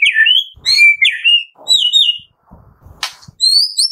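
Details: White-rumped shama singing, a morning recording meant to spur captive birds to sing: bright, high whistled phrases with quick upward slurs, short pauses and faint low knocks.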